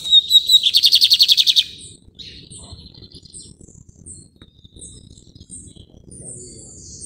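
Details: Lined seedeater, known in Brazil as bigodinho, prized for its song; a loud rapid buzzy trill of repeated high notes for under two seconds, followed by scattered soft high chips and faint background noise.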